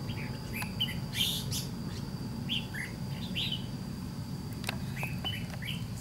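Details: White-cheeked red-whiskered bulbul drawn in during a trap fight with a decoy bird. It gives lively chirping phrases of short, sharply inflected notes, some in quick clusters and others single, over constant low background hum.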